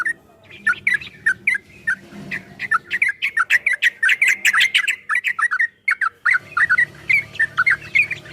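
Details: Long ropel song of a yellow-vented bulbul, meant to prompt caged bulbuls to answer: clipped liquid notes in fast, uneven strings, pausing briefly near six seconds before resuming, faint hum underneath.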